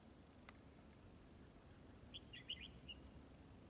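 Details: Red-whiskered bulbul at a trap, fighting and fanning: a short, quick run of bright, slurred whistled notes late in the clip, rising and dipping, above quiet steady background noise.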